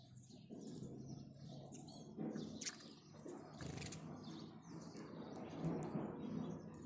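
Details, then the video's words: House sparrows in the morning, short bright chirps scattered irregularly over several seconds, some overlapping, against a dense low rumble of background noise and a few wing-flap-like bursts. "goriya bird sound"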